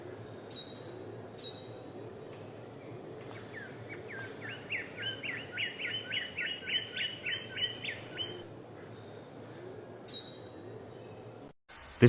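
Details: King bird-of-paradise male from Papua displaying to a female: scattered high falling whistles, then a rhythmic series of about fifteen quick upslurred notes, over constant forest and insect noise ending in a sharp thump.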